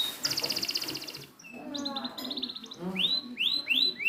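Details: Training recording of canary song for birds that won't sing: a fast high trill, then choppy notes and a series of rising swept whistles repeated about twice per second, over low background noise.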